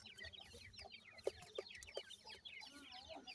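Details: Seven-day-old grey francolin chicks feeding, a busy flock of shrill peeping chirps, broken by three short, lower, clucking notes near the middle.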